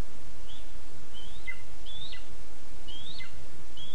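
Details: Lesser spotted eagle chick in a spruce nest in Zemgale, Latvia, 20 August 2024, begs for food with thin, high, slurred whistles about once a second over a steady low rumble of wind.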